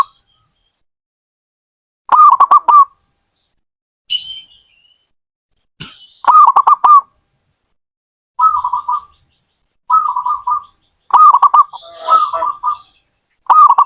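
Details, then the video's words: Zebra dove song repeated across the recording: clicky stuttered phrases of mid-pitched coos alternating with softer purring trills, every one to two seconds, with occasional faint high chirps and a brief scratchy noise. "Suara burung perkutut"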